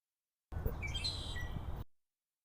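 A Red-winged Blackbird gives a few thin, high chirps and short whistled notes over about a second, against a low rumble of background noise.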